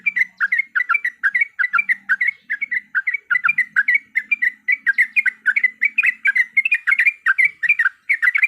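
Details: Yellow-vented bulbul (trucukan) fighting song, used as a lure to set other bulbuls singing: a rapid, dense stream of liquid, bubbly notes around one pitch band, overlapping almost without pause for the whole stretch, with a faint low hum beneath.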